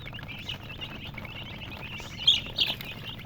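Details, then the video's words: Young chickens cheeping: rapid, high, sweet peeps, about three per second, with a couple of louder sharp chirps near the end over a soft low hum. "Witty MURGI Baby "Chicks Chirping" Sound"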